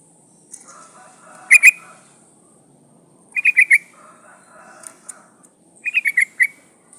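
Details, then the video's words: Breeding-condition female yellow-vented bulbul calling the male: clusters of three to five bubbly notes every couple of seconds, mixed with lower warbling chatter from other birds and a faint high hiss. "Suara burung trucukan gacor memanggil lawan pancingan trucuk betina memanggil jantan"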